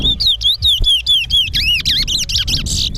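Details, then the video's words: Towa towa (chestnut-bellied seed finch) in a whistling contest gives evenly spaced, sweet whistled notes that become looping, warbled phrases before ending in a rough buzzy burst, with soft background talk. "TOWA TOWA BIRD WHISTLING COMPETITION"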